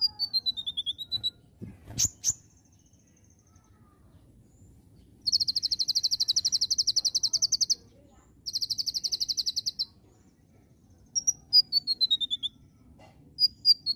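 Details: Oriental magpie-robin in energetic song, mixing high whistles that slide downward with two long stretches of very rapid, high, even rattled notes, each lasting a couple of seconds, and scattered sharp notes in between.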